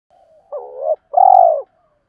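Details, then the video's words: Decoy spotted dove calling to lure wild birds. A single close coo phrase: a wavering, rising note, then a long, rich, slightly burred coo that sags at the end, with faint soft notes before it. "tieng chim cu mồi thúc và gáy gọi bổi rất nhanh dìa cội/ tiếng gáy dùng luyện mồi và bổi"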